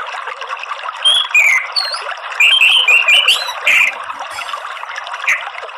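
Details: Red-throated ant tanager in morning song: a run of sharp whistled notes and slurred phrases, some very high, with short pauses between bursts.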